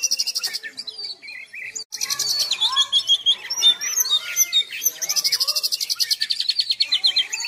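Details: An Oriental magpie-robin sings a rich, varied song of high whistles, rapid trills and sharp chattering notes, with fast buzzy rattling runs between phrases.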